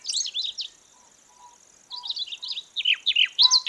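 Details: Trapping lure of Siberian rubythroat song: a burst of quick whistled notes, a silent gap of over a second, then a renewed tumbling series of sharp, descending slurs, with a steady high hum beneath.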